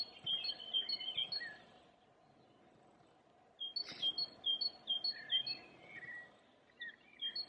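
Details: Great tit song recorded in April 2020 at a Munich cemetery beside Perlacher Forst, Germany: bright repeated two-note 'teacher' phrases in two strophes split by a pause, with a brief thud and softer other bird notes in between.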